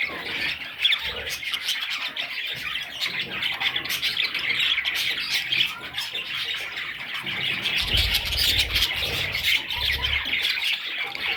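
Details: A nest of budgerigar chicks keeps up a steady, scratchy, high-pitched squawking chorus; brief low knocking sounds appear around the middle.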